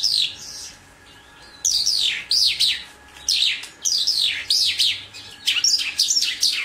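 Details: Mongolian lark, named among the four famous songbirds, giving bursts of quick high notes that each sweep downward, repeated in rapid clusters after a quiet start, with a faint steady hum underneath.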